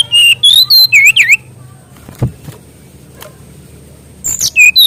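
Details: A Mangrove whistler, recorded as a training song for young birds, gives a quick string of bright whistled notes rising and falling, then falls silent before a second burst of looping whistles at the end.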